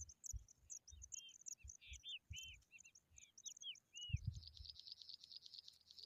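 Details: Pipit caring for its chicks: a run of short arched, downslurred notes, about two to three a second, over continuous high thin chirping and soft low thumps, ending in a dense high buzzy burst.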